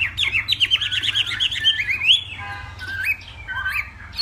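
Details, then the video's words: Hwamei from Northwest Vietnam in a morning singing contest, a fighting song. A fast run of loud warbled whistles sliding between rising and falling notes, then after a brief lull a few scattered whistled phrases. "Hoạ Mi Hót Đấu /hoạ mi hót sáng luyện giọng kich bổi sổ giọng chim hót hay mỗi ngày/Họa mi Tây Bắc"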